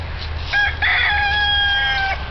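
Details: A Sumatra rooster crows repeatedly after the flock was disturbed by a person chasing a hen carrying a worm snake: a short clipped opening note, then a long, steady, slightly wavering note held about 1.5 seconds, over a low background rumble.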